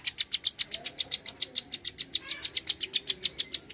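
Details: Rapid 'klik' calling of a bar-winged prinia: crisp, high, ticking notes in a tight, even series of roughly four per second. No other sounds stand out.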